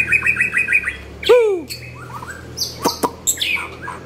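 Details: White-rumped shama song in short varied phrases: a quick series of repeated high chirps, then a loud downward-sweeping whistle, softer slurred notes, sharp clicks and bright upper whistles, over a low steady hum.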